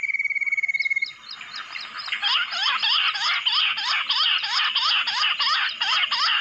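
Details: Jungle bush quail called in by mobile phone: after a second of fast, even buzzy pulsing, a run of sharp, rising-and-falling squeaky notes repeats about three times a second.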